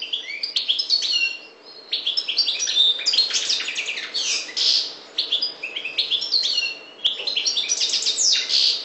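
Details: Maghreb European goldfinch, subspecies parva, singing a fast, jumbled, high twitter of clipped chirps, rolling trills and nasal buzzes, broken by two short gaps.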